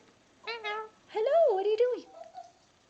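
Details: Three-year-old male Indian ringneck parakeet, never kept in a cage, talking indoors to his new toy monkey, a gift on National Bird Day, January 5, 2015. High, clear voice-like syllables: a short phrase, a pause, then a longer swooping, warbling utterance.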